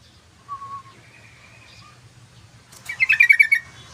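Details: Active yellow-vented bulbul song for luring and tutoring: a few soft thin whistles, then a loud quick chattering phrase of about seven bubbly notes at the end, with low hum beneath.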